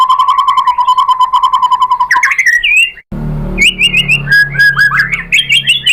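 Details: Shama (murai batu) lure song for provoking other birds to reply: a long, even, rapid trill, a short break, then lively, varied whistled phrases with quick upward flicks.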